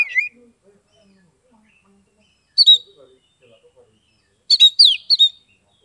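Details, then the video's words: Oriental magpie-robin, locally kacer, a caged bird in Kebumen, Central Java, used to get quiet birds singing: short sparse whistled bursts with a long pause between, and soft low voices faintly audible. "SUARA KACER NGEPLONG untuk terapi kacer bisu, malas bunyi, langsung respon dan gacor"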